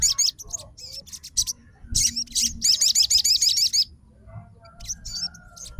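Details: Short answering burst from a fighter crimson sunbird reacting to another sunbird's song: scattered high chips lead into a fast trill of repeated hooked notes, then a pause and a few more sharp notes.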